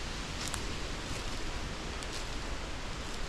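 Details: Steady broadband outdoor noise with low rumble and faint rustling; no animal calls are heard.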